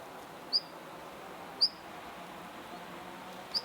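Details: Siberian long-tailed rosefinch in a park giving three short, high, thin whistled call notes spaced about a second apart over a soft steady background hiss.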